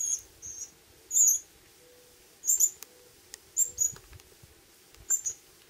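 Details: Pyrrhuloxia chicks begging while a wild male parent, who takes food from a person's hand, feeds them in summer in Terlingua, Texas. Thin, very high chirps come in short irregular bursts, mixed with sharp clicks and a faint low hum.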